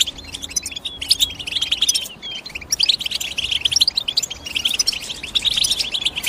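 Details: European goldfinch chirping: dense, overlapping bright twitters and short tinkling notes, several rising whistles, continuous with brief pauses near two and four seconds, high-pitched throughout, low faint background hum.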